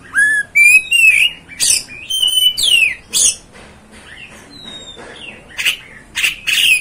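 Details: Oriental magpie-robin (kacer) song used to provoke and rouse other kacers: a rising whistle, then loud sweeping whistled phrases mixed with harsh buzzy bursts, short pauses between, quieter chatter mid-clip.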